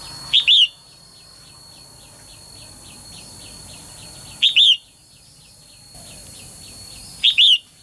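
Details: Female bird singing to encourage males to sing. Three irregularly spaced calls, each a quick high chip joined to a slurred whistle. A faint, fast ticking chatter fills the gaps between calls.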